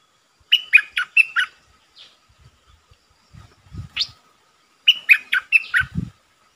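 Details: Red-eyed bulbul kept as a lure for wild birds. Two bursts of bubbly, warbled notes separated by quiet chirps and low thuds.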